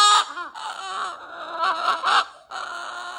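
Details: Pet cockatoo doing a 'roar' in a rough, raspy, wavering voice, running through a few choppy squawks before a final sustained harsh note.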